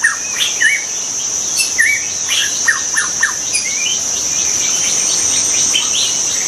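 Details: Wild white-rumped shama delivering bright whistled notes and rising slurs, several sharp falling notes in quick succession, later softer, with a persistent high-pitched insect chorus.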